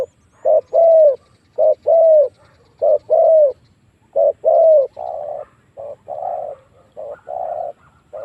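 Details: Spotted dove lure call used to draw wild doves into fighting: low mellow coos in pairs, a short note then a longer drawn, slightly falling coo, repeated about every 1.2 seconds over a faint low hum.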